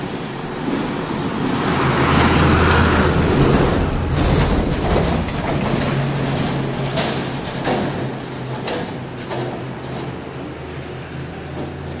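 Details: Steady vehicle rumble with low engine hum and broadband road noise throughout, and no animal calls stand out.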